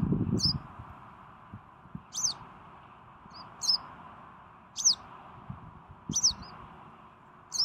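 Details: Western yellow wagtail (Motacilla flava) recorded 12 June 2018, giving thin, high, slurred calls about every one and a half seconds over a steady low hum, with a soft thump at the start.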